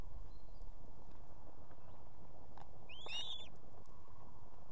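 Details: Female osprey at an evening nest in Estonia, with two chicks, calling the male for food: a single short burst of overlapping whistled chirps after quiet seconds of low, steady rumble.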